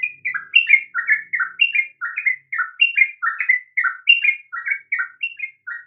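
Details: Lively sooty-headed bulbul singing, meant to stir quiet or stammering bulbuls to sing. Short, bright, downslurred whistles follow one another in rapid, bubbling groups of two or three notes, with no other sounds.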